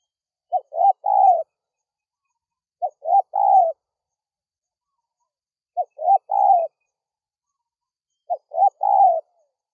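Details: Calling spotted dove, used for luring wild doves: four cooing phrases, each a short note, a brief coo and a drawn-out falling coo, spaced about every three seconds, clean and quiet background.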